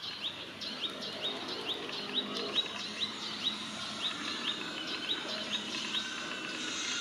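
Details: Warning call of a male sunbird recorded handheld in Israel as it feeds: a steady run of thin, high, down-slurred chirps, about two each second, continuing throughout over soft ambient noise.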